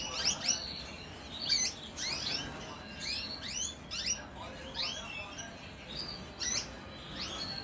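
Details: Canary during the 2025 breeding season, giving a series of bright, quick upslurred chirps and short whistled notes, repeated irregularly about once or twice a second over a steady background hiss.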